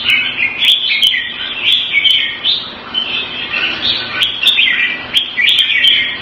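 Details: Red-whiskered bulbul in a cage, kept Thai style in Singapore in February 2018, gives mellow, slurred whistles and chattering phrases in overlapping bursts, with sharp clicks interspersed.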